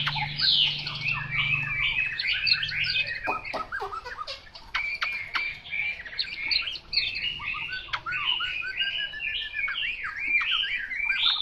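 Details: Chinese hwamei, labelled 'mộc dở', pouring out a long, jumbled mix of squeaky whistles, chattering notes and harsher squawk-like sounds, interrupted by a few sharp clicks; a low hum is audible at the start.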